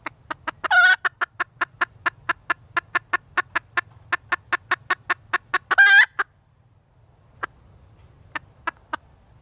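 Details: Female red junglefowl calling for a mate: a fast run of sharp, dry clucks about five per second, broken twice by a loud harsh squawk, with a steady high electronic whine underneath.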